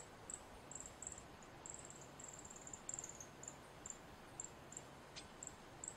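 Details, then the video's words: A male Northern Cardinal gives thin, very high, sharp chips, several each second in an uneven run, over a steady background hiss. "Cardinal Chirping Sounds | Male"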